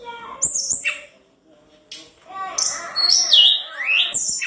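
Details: Vigorous tledekan gunung singing, intended to goad rivals into replying: piercing high whistles, looping slurs and a long rising phrase, broken by a short pause and sharp clicks.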